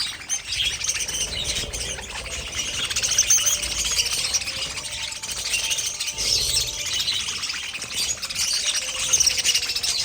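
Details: Pet budgerigars, likely a colony, chattering together: a dense, continuous wash of high scratchy warbles and chirps with no pauses, overlapping voices throughout.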